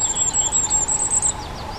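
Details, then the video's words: Common firecrest: a quick run of very high, thin, needle-like notes, about ten in just over a second, each slightly rising, over a faint steady hum. "Králíček ohnivý, Common Firecrest, Sommergoldhähnchen, Vuurgoudhaan, Zniczek zwyczajny"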